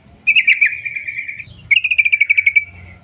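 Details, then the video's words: Sooty-headed bulbul delivering a 'ropel panjang' long rapid trill, played as a lure to get other bulbuls singing: a quick chirping run flows into a sustained trill, then about ten clipped notes rattle out fast. "TRUCUK Gacor ROPEL PANJANG pancingan trucuk agar BUNYI"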